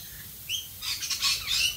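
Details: Australian rainbow lorikeet in the rain, two thin whistled notes followed by a sudden burst of harsh, screechy squawks.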